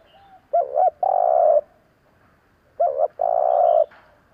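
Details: A dove's call used to stir a decoy spotted dove: a quick double note, then a long sustained rough coo, given twice a little over two seconds apart, against low background noise.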